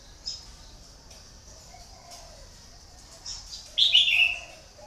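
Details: Decoy red-whiskered bulbul kept to lure wild birds, said to have caught many: after a quiet stretch with a steady high hiss, a loud, brief, warbled phrase near the end, with faint low calls in the background.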